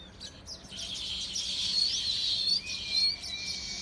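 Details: Bright, busy bird chirping, high and rapid, joined by a long, level, clear whistle during the second half.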